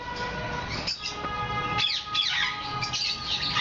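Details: Hand-tame cockatoo, either Moluccan or medium sulphur-crested, giving harsh, rasping squawks and chirps in quick bursts, over a steady electrical hum.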